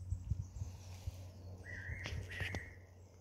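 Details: Mournful song of a Fairy pitta perched on a pine at a planned golf course site on Nojasan, elevation 147 m. A single pair of steady whistled notes is heard among low rumbling background noise and a few sharp clicks.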